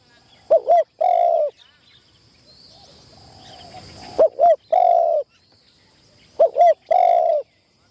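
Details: Caged spotted dove kept as a trapping decoy, trained in an enclosure for the first time. It delivers three coo phrases, each two clipped rising notes then a sustained buzzy note, separated by a pause with soft rustling.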